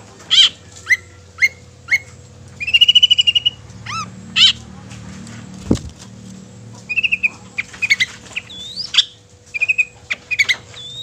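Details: Long-tailed shrike voice for stirring other shrikes into song and aggression: widely spaced sharp notes, a brief buzzy trill, a single thud midway, then a looser sequence of chirps and slurs.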